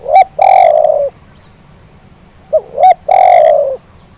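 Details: Spotted dove calling as a lure to set lazy doves calling. Two phrases, each made of quick hooked notes leading into a long, mellow, slightly falling coo, with about a second and a half of quiet between them. A faint high hiss sits behind.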